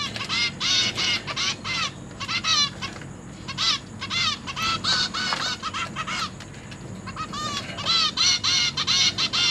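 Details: Zebra finch chicks, three juveniles and three newborns, begging while parents feed them in a cage, 29 September 2023; dense bursts of nasal, harmonic beeping notes repeated rapidly, several birds overlapping.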